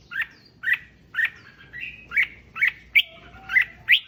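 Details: Red-whiskered bulbul song for stimulating other bulbuls: evenly spaced short, bright chirping notes roughly twice a second, with a few thin sliding whistles in between; clean, quiet background.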